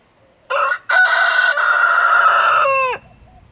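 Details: A rooster with his hens, who are taking a dirt bath, gives one loud crow: a brief opening note, then a long, strained, held cry that falls away at the end. Otherwise quiet.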